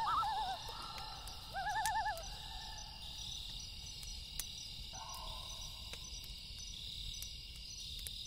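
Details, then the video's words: Loon giving two quavering, laughing tremolo bursts in quick succession, then a softer held note, at night by a lake, over sharp crackles of a campfire and a steady background hiss. "Campfire Sound & Loon Call"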